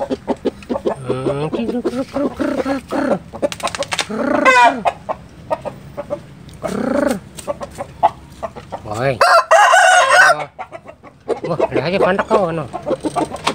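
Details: Rooster, spoken of as a Bangkok chicken, crowing again and again; the constant crowing is taken as a sign that rain is coming. Several long, rising-then-falling crows over short clucks, with people talking nearby.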